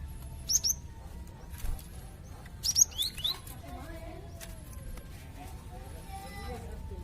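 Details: Cinereous tit, popular among songbird keepers and used to tutor other birds: two short bursts of thin, very high chirps roughly two seconds apart, the second burst longer, over steady low hum.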